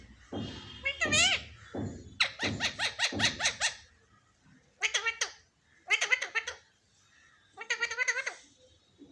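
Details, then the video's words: Indoor pet parrot mimicking speech, said to call "mummy mummy": rapid chattering, speech-like syllable strings delivered in four bursts with short pauses, each rich and harmonic with wobbling pitch. "मम्मी मम्मी बोलने वाला तोता"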